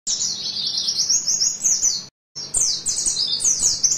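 An Oriental white-eye sings a very high, fast, continuous twittering of thin sliding notes, broken by a brief cut partway through.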